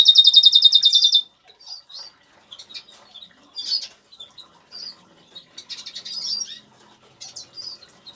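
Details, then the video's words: In a home aviary an agate Major goldfinch delivers a loud, rapid pulsed trill for about a second. Softer, high, scratchy twitters and short slurred whistles follow at an uneven pace. "zingende Major Putter of wel singing Goldfinch"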